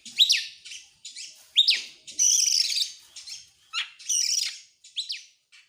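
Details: Kacer, the Oriental magpie-robin, singing in an excited 'gacor' display with tail spread: sharp upslurred whistles alternating with loud buzzy, chattering bursts and a descending note, delivered in quick, uneven phrases.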